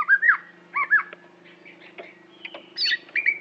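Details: Greater green leafbird of Aceh gives short curling whistles and mixed chirps over a faint steady low hum.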